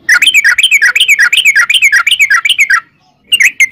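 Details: {'caption': 'Trucukan, sooty-headed bulbul, giving a continuous rapid trill of bubbly up-and-down notes for nearly three seconds, a short silence, then a couple of fresh chirps, as a lure to set off other birds singing.'}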